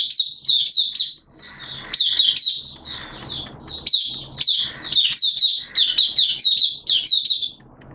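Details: Hobby-kept caged Oriental white-eye giving open 'buka' song on 11 September 2022, wet erratic weather: continuous high, sweet twittering phrases of rapid tumbling notes with brief gaps between bursts.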